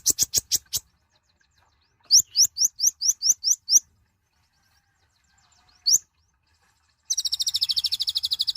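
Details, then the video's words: Tiny nectar-feeding mouse-colored sunbird, known locally as kolibri ninja or konin, singing loudly: quick sharp ticks, then a series of rising whistled upslurs, one lone upslur, and finally a fast, even high trill. "Kicauan suara burung Kolibri Ninja(konin) gacor"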